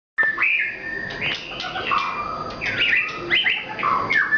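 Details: Nias white-rumped shama singing very actively, a rich, varied run of whistled phrases that rise and fall, with quick slurred notes and short pauses between bursts.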